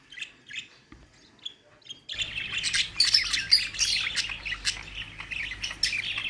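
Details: Budgerigars in a busy chorus of rapid, high twittering chirps and warbles, near-continuous after a quieter opening, with low background hum.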